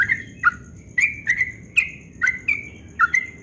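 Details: A yellow-vented bulbul at dawn gives a rapid song of quick, bubbly chirped notes, about two a second, each sliding slightly, over a thin, steady high whine.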